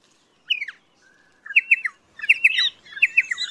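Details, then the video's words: Pardalote giving rapid, slightly harsh chirps, first single, then in pairs and triplets that grow busier, with a faint lower note early on. "BEST PARDALOTE SOUND COMPILATION"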